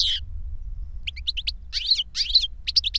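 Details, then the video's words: Older goldfinch singing for a younger goldfinch: a short buzzy note, a pause, then clusters of quick high chirps and nasal, wheezy twitters. "Older GOLDFINCH SINGING to Teach Younger Goldfinch"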